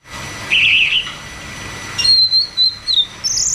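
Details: Cucak cungkok song in the ngeroll tembak style, used as therapy and a lure for caged birds that have stopped singing: a short buzzy burst, then a thin high whistle wavering and repeated, ending in a higher note.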